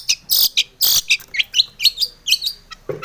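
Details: Energetic long-tailed shrike song meant to stir other shrikes to sing, made of harsh, noisy bursts and sharp chattering notes mixed with short high whistled slurs, ending in a low thump.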